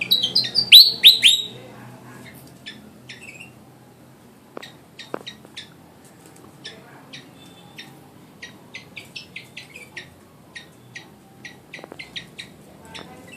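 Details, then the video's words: One-year-old Javan flycatcher in singing training: a loud burst of rising notes at the start, then a long run of quick, quiet, high ticking chirps at an irregular pace, with occasional low clicks. "Burung Sikatan Jawa Gacor"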